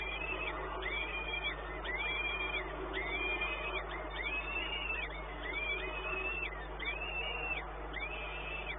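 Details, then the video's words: Peregrine falcon, Płock, 1 May 2019 midday: eight or so regularly spaced, arched wailing notes, each with a rising start and falling end, over continuous hum and hiss. "Sokół wędrowny"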